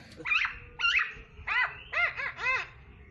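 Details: Black-naped oriole (kepodang), singing prolifically, gives a short run of harmonic, arched, slightly nasal notes, about six in three seconds, in a quiet setting.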